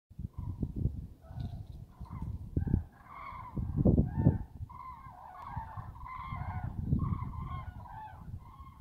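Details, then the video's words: Cranes calling: loud, trumpeting, honk-like notes rich in overtones, given in overlapping bursts, with heavy low rumbling and buffeting noise underneath throughout. "Kraniche / Crane"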